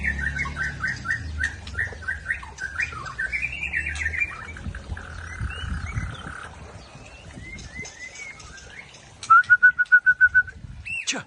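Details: Aceh white-rumped shama delivering "trek kasar" song: a run of varied whistled phrases and slurs, a sustained buzzy note, then a rapid string of identical sharp notes, over a low background rumble.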